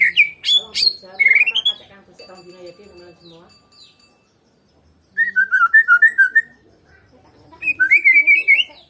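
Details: Medan murai batu (white-rumped shama) singing unopposed, bursts of loud rich whistles and rapid chattering trills, then a quieter pause before more fluty, rolling warbled phrases return.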